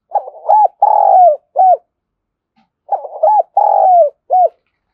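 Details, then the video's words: Spotted dove from Đồng Nai, Vietnam, used to call in wild birds. Two matching phrases of four low coos, including a long sliding middle note, are spaced about three seconds apart in quiet surroundings. "tiếng cu gáy gọi bổi sung nhất"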